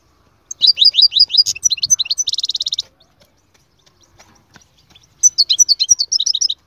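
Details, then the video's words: Goldfinch song of quick, bright, descending high chirps in a lively sequence, moving into a dense buzzy trill. After a short pause with faint ticks, a new burst of rapid high twittering starts. "أقوى تغريد مقنين يجعل المقنين الساكت يسير"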